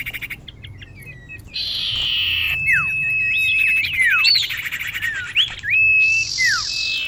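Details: Common iora female calling to a male, for luring: a harsh buzzy burst, then a long level whistle overlaid with wavering notes and falling slurs, ending in another rasping buzz.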